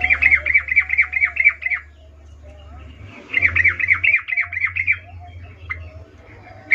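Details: Sooty-headed bulbul calling in the wild, recorded to draw quiet bulbuls into replying: two brisk bursts of quick, repeated chirping notes, each lasting about two seconds, over a steady low hum.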